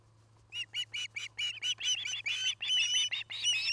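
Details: Osprey at the nest in Charlo, Montana, where a pair is nest-building and mating; rapid, loud, irregular chirping notes, many in quick succession and growing busier, with a faint low hum behind.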